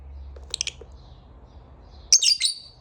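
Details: Pet lovebird in the morning: a few quick high chirps, then a louder shrill chattering burst, over steady low room noise.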